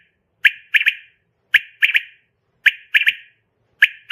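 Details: Common quail call attributed to a female, used for luring in hunting, with crisp three-part bursts, a lead note followed by two fast clipped notes, recurring roughly every second with nothing else audible.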